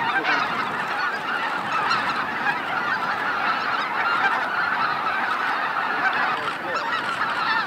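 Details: Greater white-fronted geese flying in to roost at Miyajima-numa marsh, Bibai, Hokkaido, Japan, 2016: a dense, continuous chorus of overlapping honking calls from a large flock, a steady wall of sound without pauses.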